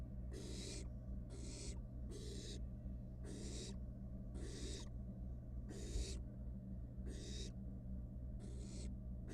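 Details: A barn owl nestling, wild and filmed in a research nest box as it plays with its dinner, repeats harsh snoring hisses at irregular intervals of about a second, with low mechanical hum throughout.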